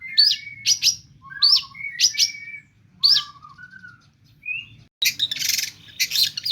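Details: Long-tailed shrike kept as a songbird, singing in full voice with mimicked phrases: sharp rising whistles in paired bursts, lower slurred notes, a short whistle, then a dense harsh chattering burst near the end.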